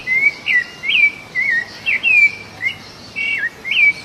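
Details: A Rufous-bellied Thrush singing while feeding free in the wild gives short, clear whistled phrases, each slurred up or down, in quick succession with brief pauses, over faint background hiss.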